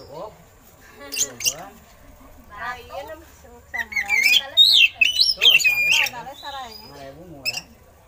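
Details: Oriental magpie-robin song with eagle-call imitations for training other songbirds: quiet low chatter, then a loud run of sliding whistles, shrill harsh notes and short warbled phrases in the middle, tailing off softly.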